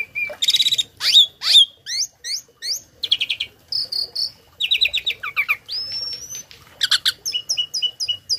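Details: Tame Asian pied starling kept as a tutor singer for other birds, delivering imitated fills: quick sequence of high slurred chirps, buzzy stacked notes, a long rising whistle near the end and crisp repeated ticks.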